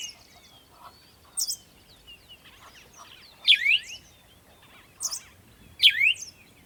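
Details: Birds chirping at sunrise in the morning: short, sharp, high chirps with quick rising and falling strokes, coming in scattered bursts every one to two seconds over a quiet background.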